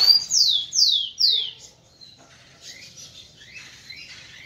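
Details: Kept male rufous-collared sparrow singing to stimulate females: three loud, clear whistles slurring steeply downward about every half second, then a faint twittering trail with quiet chirps behind.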